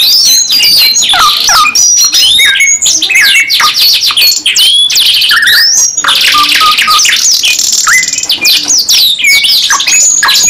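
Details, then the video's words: Canary in long-burst gacor nembak panjang song: loud, rapid sequence of rising whistles, chattering chirps and sustained buzzy rolls, continuing almost without pause. "KENARI 2 IN 1 GACOR NEMBAK PANJANG | CANARY SINGING"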